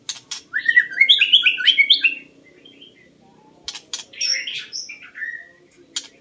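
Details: White-rumped shama, recorded to lure birds, gives a lively cascade of quick, varied warbled notes. After a pause comes a second, shorter phrase ending in a clear falling whistle, with scattered clicks throughout.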